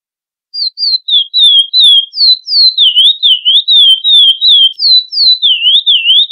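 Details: Curió, or chestnut-bellied seed finch, in the classic Florianópolis song style meant for tutoring young birds: after a brief silence, a rapid flowing chain of pure whistled notes, some descending, others looping up and down.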